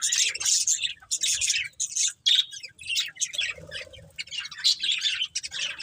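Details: Colourful budgerigars of a breeding pair trade bursts of scratchy warbling and sharp chirps, with uneven pauses between the busy phrases.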